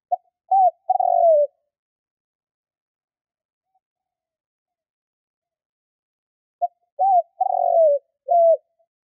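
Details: Spotted dove lure call used to draw wild doves in quickly: two cooing phrases, each a short note, a wavering coo, a longer falling croon and a final clipped coo, separated by a long silence.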